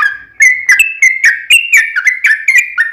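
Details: Yellow-vented bulbul (trucukan) song played as a lure for other bulbuls: clear, liquid whistled notes in quick succession, alternating slightly higher and lower pitches with a bubbling quality.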